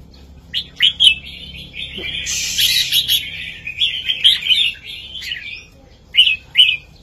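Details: Red-whiskered bulbul performing a heavy, clear southern master song meant to excite listening birds and train young ones; a few short chirps open a long, fluty, warbling run, followed by two clipped separate notes near the end.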